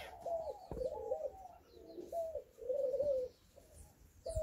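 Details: During mating in an outdoor aviary in Guadeloupe, Bridled quail-doves (Geotrygon mystacea) give soft, low, hollow coos, about five short notes in four seconds, broken by a couple of sharp knocks or wing thumps.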